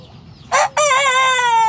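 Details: Young Sanjak cockerel just starting to crow: a short harsh burst, brief pause, then a long strained harmonic-rich crow held steady and slightly falling in pitch.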